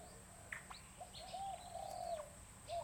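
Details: Bronze-tailed peacock-pheasant at a breeding center in Chiang Mai, Thailand, giving soft, low, drawn-out whistled notes, with a few brief higher chirps and a steady faint high hiss behind.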